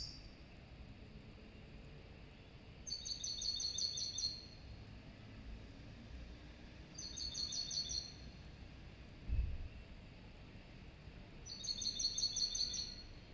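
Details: Serin × goldfinch hybrid singing: three short bursts of high, fast tinkling trills, each about a second long and several seconds apart, over a steady low rumble of background noise.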